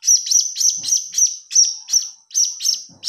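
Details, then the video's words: Blue-crowned hanging parrot chick begging as a lure sound: a fast, continuous string of shrill chirps, roughly three per second, without pause. "Suara Anak Burung Serindit"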